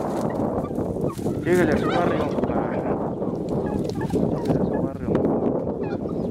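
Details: Tired turkeys that have been fighting over territory for a long while give harsher squabbling calls and a quick, wavering gobble midway through, over a dense, noisy background.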